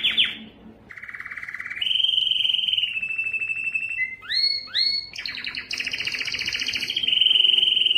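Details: Loud breeding song of a Belgian canary meant to attract females, with long even rolls, a rapid string of downward-swept chips near the middle, then bright high trills and a final sustained rolling tour.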